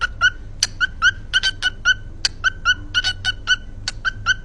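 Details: Pet cockatiel performing its "Cookie Song": a rapid run of short, bright chirped notes with ringing overtones, about twenty in four seconds at an uneven, bouncy pace, with a faint low hum beneath.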